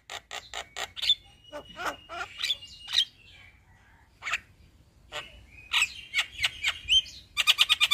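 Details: Male black-winged starling giving a long rolling song: harsh, clipped notes in uneven bursts with drawn whistles between, a pause near the middle, then a rapid rattling series at the end.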